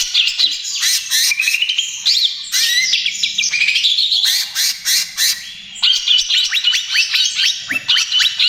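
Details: Lively 'trotol gacor' song of a greater green leafbird, meant as a lure and therapy for other birds: bursts of harsh squawky chatter alternate with fluid warbled phrases and quick rising whistles, over a faint low hum.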